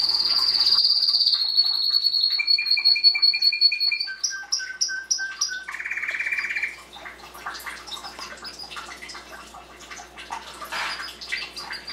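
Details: Canary song built from sustained trills at stepped pitches, high then lower, then a dense buzzy rattle, fading into softer mixed twitters and chirps.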